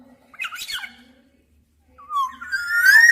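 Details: Black-naped oriole calling: a short burst of slurred fluty notes, then after a pause a long whistle climbing steadily in pitch and growing louder toward the end.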